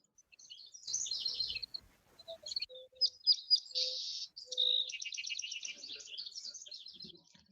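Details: A Song Sparrow sings in a morning field where song sparrows are abundant: a few short separated high whistles, then buzzy, trilled phrases; a Mourning Dove coos softly and low in the background.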